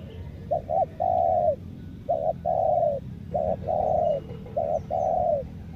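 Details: Spotted dove used as a lure bird, delivering a rhythmic cooing song of two brief notes and one long, mellow, slightly falling coo, repeated four times in a steady run.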